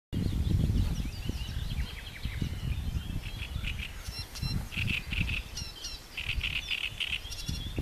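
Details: Green sandpiper at Roszków on 7 June 2012 gives sharp, clear whistled notes in quick bursts of two or three, among scattered small chirps and a steady low wind rumble.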